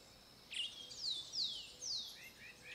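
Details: Grey-breasted martin (Progne chalybea) song near RPPN das Araucárias Gigantes, Itaiópolis, Santa Catarina, Brazil: a run of high, descending gurgled notes, each sliding downward, roughly twice a second, with faint chirps between.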